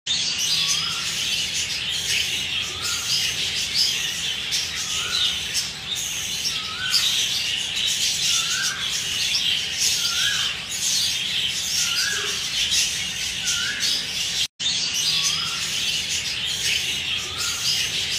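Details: A flock of black-face black-wing grey budgerigars in an aviary chatters nonstop in high, scratchy warbles and chirps.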